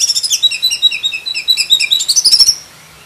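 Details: Black-breasted oriental magpie-robin with a richly varied song full of learned material, offered as a model for training other magpie-robins; rapid, continuous run of high, sweet chirps and whistles, ending in a quick ascending trill before stopping.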